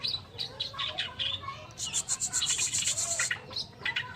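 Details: Oriental reed warbler singing harsh, grating notes in quick succession, ending in a dense run of rasping chirps repeated about six times a second, with faint lower whistles from other birds behind.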